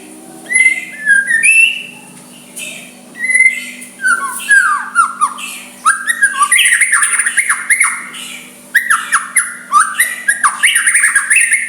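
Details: Soft white-rumped shama song intended to draw a rival into replying: bursts of whistled, slurred notes alternating with short silences, growing into fast, dense runs of rising and falling whistles.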